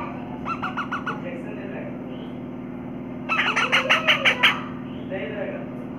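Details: Parrot after lunch, cleaning its mouth: two bursts of harsh, quickly repeated squawks, first a short soft run of about five notes, then a louder series of six, over a steady low electrical hum.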